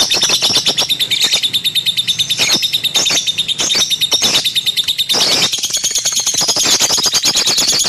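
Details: Pet lovebird chattering with quick, high-pitched trills and chirps, interrupted by loud scratchy squawks, continuing in a fast rattling run to the end.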